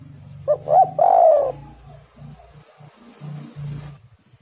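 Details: Spotted dove song used as a lure to set other doves singing: one phrase of two short rising coos then a long falling purr-like coo, over a steady low rhythmic thumping hum in the background.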